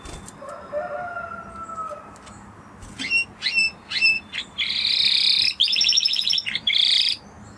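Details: A Spanish Timbrado canary opens with soft, low, drawn-out whistles, then gives a few sharp high notes before breaking into loud, continuous, metallic rolling trills.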